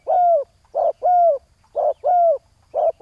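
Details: Spotted dove used in decoy luring of a rival on the ground, giving a steady series of short, deep coos, about one per second, some with a slight downward-curving tone.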